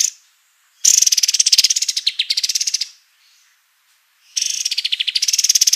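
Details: A kapas tembak white-eye in full tutor-style song: fast, rattling trills of densely repeated bright notes, the first phrase about two seconds long, a pause of a second, then another rapid trill.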